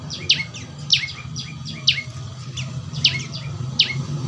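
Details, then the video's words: Juvenile prinia (prenjak lumut) giving quick, thin, falling chirps, often doubled, repeated at short intervals against a noticeable low-frequency hum. "Burung prenjak lumut suara asli alam"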